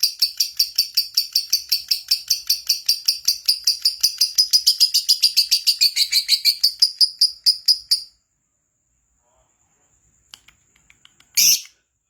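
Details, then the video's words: Lovebird, kept to sing keenly, giving a fast run of about twenty sharp high chirps that blur into a buzzy chatter over eight seconds, then silence broken by a few faint clicks and one short harsh burst. "Lovebird Gacor Pancinagan Suara Lovebird Agar Cepat Gacor Kicau LOVEBIRD"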